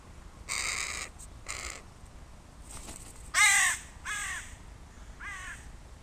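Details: A crow calls while crows play on a human body as a playground: two rough caws, then three louder, bending caws with a dipping, nasal tone, each about half a second long, against quiet surroundings.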